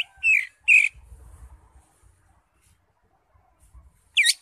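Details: A greater green leafbird (cucak hijau), crest raised, in constant song filled with varied fill-in phrases and used for training other birds. Two bright chirps close together, a long pause with faint rumbling, then one rising note.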